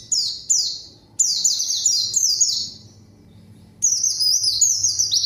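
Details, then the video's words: White-eye lure singing to draw out a rival: several vigorous strings of high, downward-sweeping whistled notes in quick succession, broken by brief pauses of under a second. "PANCINGAN PLECI GACOR MANGGIL LAWAN PLECI BAHAN LANGSUNG RESPON DAN IKUT BUNYI"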